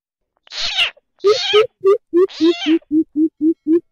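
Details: Greater coucal call used as a hunting lure: a few harsh, rasping, cat-like cries, then a quick run of about nine deep, hollow hoots on an even low pitch, evenly spaced.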